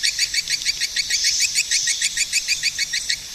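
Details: Regular, rapid swiftlet chirps, each short and high-pitched, repeated a little over three times per second in an even rhythm.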